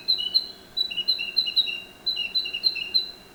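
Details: Narcissus flycatcher song delivered as rapid repeated two-note figures, a higher clear whistle and a slightly lower slurred note alternating steadily, with a short break midway, in quiet surroundings.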